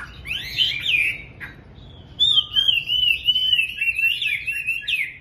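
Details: Morning song of a Chinese hwamei kept as a home cage bird: a short looping whistled phrase, a brief pause, then a long unbroken stream of fast warbling notes wavering in pitch.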